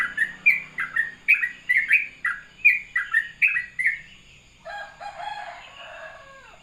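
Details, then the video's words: Morning 'ropelan' song of a sooty-headed bulbul, a brisk series of short slurred chirps repeated for about four seconds, then fading; a lower, rougher burst of another sound follows near the end. "ropelan syahdu trucukan dipagi hari"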